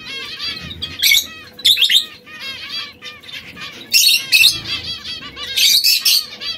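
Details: Song from a trio of canaries in red, yellow and brown: rapid chains of sweet upswept whistles, rolling on without pause, punctuated by four or five loud harsh buzzing trills.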